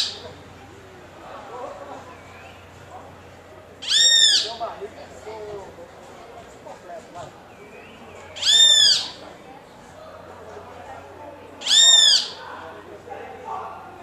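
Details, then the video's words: Great kiskadee calling to a companion of its species: three short, harsh, nasal notes spaced about four seconds apart, each strongly buzzy and slightly falling, with soft background murmur between calls. "Bem-te-vi (Pitangus sulphuratus): chamando companheiro de sua espécie"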